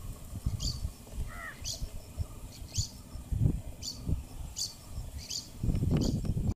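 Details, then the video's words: A Rufous babbler chirping in the evening gives short, high, thin chirps about once a second, with one lower call, over steady low wind rumble and handling noise. "Rufous babbler"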